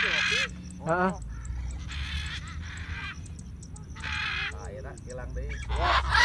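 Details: Free-flying macaw in Bandung gives harsh, raspy squawks in four loud bursts about two seconds apart, with people talking and other bird calls between them.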